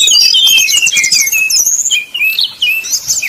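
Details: Brown-chested jungle flycatcher in flute-like 'nyuling' song, used as a lure to provoke rival birds into singing: dense, rapid high whistled phrases with rising and falling slurs, nearly continuous, with a brief lull near the end.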